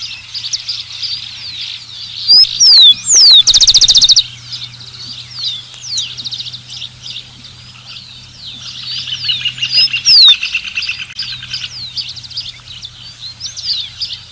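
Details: Rufous-collared sparrow (Zonotrichia capensis) singing: a couple of clear slurred whistles followed by a short, fast buzzy trill, repeated once more about seven seconds later, over a busy background of many other chirping birds and a low steady hum.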